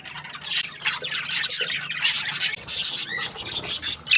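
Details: Happy budgerigar chirping: a continuous stream of high, buzzy warbles and sharp chirps. The chatter barely pauses and ends on a louder squeak.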